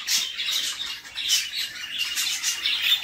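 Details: Budgie mother feeding her young in a nest box; the chicks answer with harsh, scratchy high squawks repeated in quick bursts, overlapping into a continuous noisy chatter.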